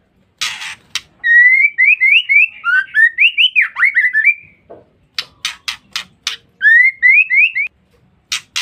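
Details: Female white-rumped shama giving a lure call to provoke males: harsh rasping bursts, then a quick run of short rising whistled notes, more raspy bursts and another string of upslurred whistles.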